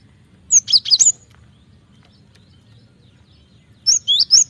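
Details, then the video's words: Cinereous tit singing actively, used as a lure for training kept birds: two short bursts of three to four sharp, high, slurred whistled notes, separated by a few seconds of quiet with a low background rumble. "Pancingan suara burung gelatik batu gacor ampuh masteran suara burung gelatik batu gacor"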